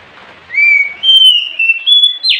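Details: At night, an Oriental magpie-robin sings a chain of long, clear whistles stepping up and down in pitch, ending in a short harsh note, over faint hiss.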